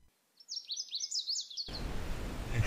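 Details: Lazuli Bunting in riparian tamarisk along the Colorado River near Moab, Utah, recorded from a paddleboard, singing a quick, high, jumbled run of sweet paired notes for just over a second, then cut off by wind and water noise.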